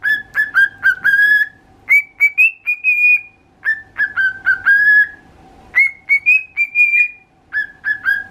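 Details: Pal, a pet cockatiel, whistles a learned human tune (meant as the "Usagi to Kame" song, sung daily) in clear, pure phrases stepping between two pitches.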